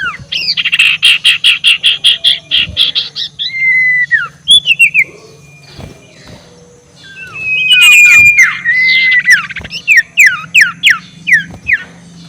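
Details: Ashy tailorbird ngekek used to provoke rivals: a fast chattering series of about fifteen buzzy notes, falling whistles, then a long level whistle and a string of sharp descending notes.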